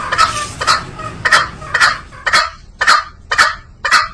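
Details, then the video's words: Green junglefowl: eight loud, scratchy, abrupt calls spaced roughly half a second apart, each a brief rasp with a ringing middle. "THE SOUND OF GREEN JUNGLE FOWL CLEAR SOUND VERY POWERFUL"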